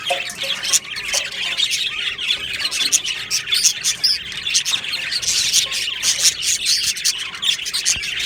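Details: Many budgerigars in an aviary colony, 22 June 2025, keeping up a thick stream of chirps, warbles and scratchy squawks that swells and dips without pause.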